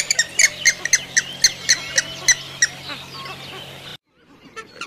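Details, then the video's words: Grey-headed swamphen giving a run of about a dozen short, sharp, nasal squawks at a quick uneven pace, then a faint softer sound after an abrupt cut. "কালিম পাখির ডাক | Kalim Pakhir Dak | Swamphen Bird Sound"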